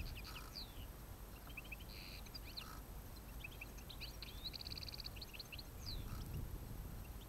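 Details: European goldfinches during autumn trapping on 29 October 2017 twitter with quick liquid chirps and bright whistles mixed with short nasal buzzy trills, loose and irregular, over a steady low rumble of wind and background noise.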